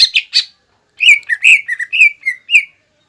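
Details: Green leafbird song full of imitations of other birds such as sparrows and ciblek, meant to anger a rival: three quick buzzy notes, a short pause, then a string of slurred whistled notes.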